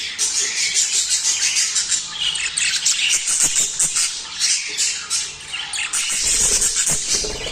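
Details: Chorus of budgerigars meant to push caged pairs into breeding, with busy high chirps, squeaks and scratchy warbles layered together and a loudness that pulses roughly every half second.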